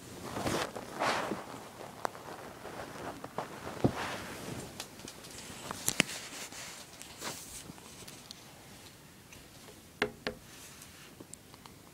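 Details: Footsteps, rustling and scattered clicks and scrapes are heard outdoors, with no clear animal calls.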